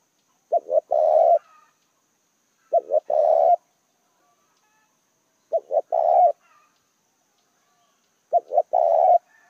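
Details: Spotted dove used as a decoy to attract wild doves, giving four phrases of low, hollow cooing about every two and a half seconds, each a couple of short hoots followed by a longer purring coo.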